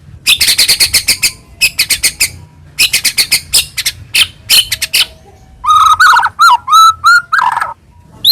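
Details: White-rumped shama song used to excite another shama to sing: repeated bursts of dry, rapid clicking notes for about five seconds, then lower, rich slurred whistles.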